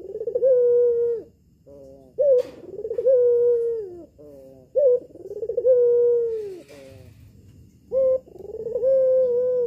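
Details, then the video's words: Captive albino red-eyed collared dove kept at home, a lure call meant to make males answer: three low, mellow coo phrases, each a short clipped note then a long rolling, drawn-out coo that fades, roughly every three seconds. "PUTER ALBINO BETINA MATA MERAH SIAP PANCING [[BIKIN GACOR JANTAN ]]"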